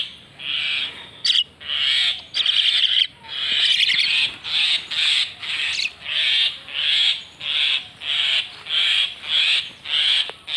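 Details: Common myna, called moina xaliki locally, making a steady series of harsh, rasping notes, one roughly every half second for ten seconds, with a few sharp clicks mixed in.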